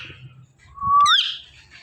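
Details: Talking rose-ringed parakeet kept as a pet indoors: one clear whistled note, flat and then sweeping upward, followed by a brief, higher buzzy squeal, with faint low room noise.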